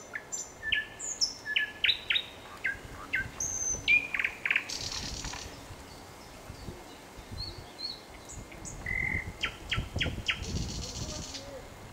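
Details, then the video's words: Nightingale in full song, delivering varied phrases of whistles, chirps and rattling repeated notes, with a brief pause midway before more rapid note series resume, over faint outdoor noise. "Пение соловья / Chill out Nightingale Singing"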